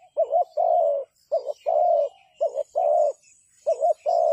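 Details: Spotted dove calling as a decoy for trapping: low, hollow cooing in paired phrases, a short doubled coo followed by a longer drawn-out coo, repeated about four times with brief pauses, over faint high chirping in the background.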